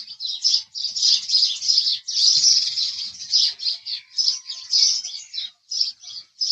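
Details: House sparrows chattering almost nonstop, thick overlapping high chirps for most of the stretch, thinning into separated notes at the end.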